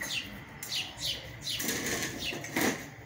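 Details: Sparrows feeding their chicks: short, sharp, downward-sliding chirps repeated in quick succession, mixed with fluttering wingbeats and a soft rustling background.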